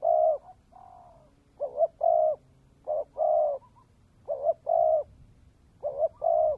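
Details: Decoy spotted dove, a ground-dove type prized for its 'kèm dày' cooing style, delivers four low phrases at a steady pace, each a quick double-noted lead-in followed by a longer, even, throaty coo, over a faint low hum.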